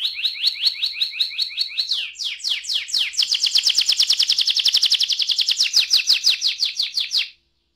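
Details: Canary singing a long roll: a steady high trill of evenly spaced notes, a short sweeping break, then a faster, louder rolling trill sustained for about four seconds before stopping abruptly.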